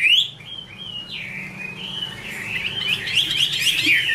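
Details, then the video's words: Female Chinese hwamei giving its 'te' calling with a male in the background: clear whistled notes sliding around high pitch, then a busy run of fast, overlapping chirps growing louder toward the end. "Chim hoạ mi: Mái te đỉnh cao của năm _ có chim trống làm nền"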